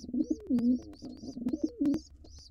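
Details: Wild intruder male pigeon in a nest box while attacking helpless nestlings: repeated low throaty coos in quick succession, with thin high chirps between them.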